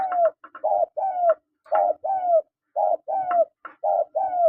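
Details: Repeated calls of spotted doves, male and female: brief stuttering notes leading into a series of hoarse, falling coos in regular phrases.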